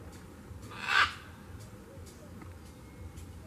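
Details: A Scarlet Macaw (Ara macao), an endangered bird, at Red Bank, Stann Creek, Belize, gives one loud, harsh, raspy squawk lasting about a third of a second, followed by only a low steady background hum.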